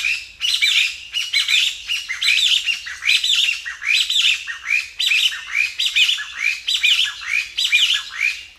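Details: A wild jungle flycatcher sings bright, slightly harsh warbled phrases, each under a second long, repeated steadily about once a second with no other sounds.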